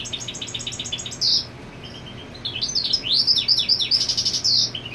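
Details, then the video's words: European goldfinch singing territorially while the female nests: a rapid ticking trill, a brief pause, then bright twittering phrases with buzzy, descending notes and a final burst of trill. "Jilguero Marcando Territorio con Hembra en el Nido"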